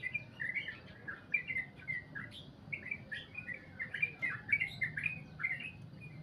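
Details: Sooty-headed bulbul singing its long goklik song: continuous lively chatter of short rising and falling whistled notes in rapid clusters, briefly pausing, over a low constant hum.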